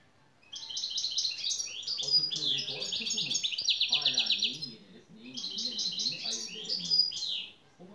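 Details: European goldfinch singing: two bursts of rapid, bright twittering and buzzy trills, dense chattering phrases with short slurred whistles, separated by a brief pause; faint low voices in the background.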